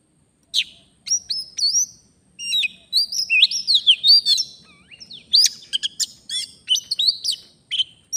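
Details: Oriental magpie-robin from the wild, singing during a luring outing in Indonesia: a continuous run of loud, varied whistled phrases, with sharp upslurred notes, quick chirps and short trills packed closely together.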